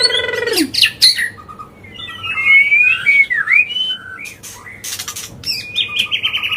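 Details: Non-stop, agitated white-rumped shama song used to stir other birds; a descending harsh note opens, followed by whistled swoops, clicks and a closing buzzy trill.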